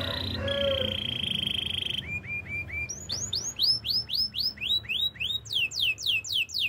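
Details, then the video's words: Canary song opening with steady high trills and a softer warble, then a chain of lower short notes and a long run of arched whistled notes repeated about four times a second. "Master canary singing make your canary will sing everytime"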